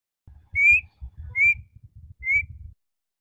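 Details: A black-winged (black-shouldered) kite gives a call made only in the breeding season, three thin, high whistled notes, each slightly rising, about a second apart, over a low rumble of wind or handling noise.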